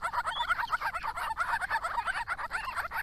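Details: Grey-crowned babblers, a resident family group at a Victoria property beside a roadside, visiting water in hot weather between January and April, drinking, diving and calling to each other: dense, rapid nasal chatter of overlapping notes, over two per second.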